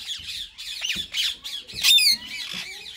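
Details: Talking mode from a pair of ringneck parakeets, one a white male, one green: continuous murmured, warbling chatter in short pulses, topped near the end by a single loud, piercing squawk.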